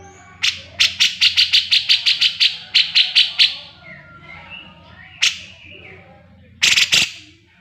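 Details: Grey-cheeked bulbul song used as a master recording for training cage birds: a fast run of about fourteen sharp, repeated chirps at an even clip, then a pause and a few louder clipped notes near the end.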